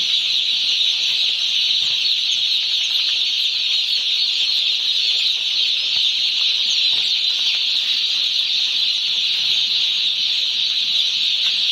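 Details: Many newly hatched, one-day-old farm chicks produce a constant high-pitched peeping, a dense chorus with no pauses.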